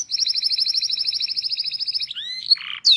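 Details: Canary song from a local Indonesian bird used as a training recording: a sustained fast rolling trill of about two seconds, then sharp rising whistles, a short buzzy rattle and a final bright note.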